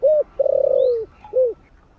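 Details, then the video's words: Spotted dove calling in the morning in a warm voice: a loud coo, then a long, rippling croo sliding down, and a last clipped coo, with a faint thin high whistle overhead. "Cu gáy GÁY GỌI buổi sáng giọng ấm cực hay"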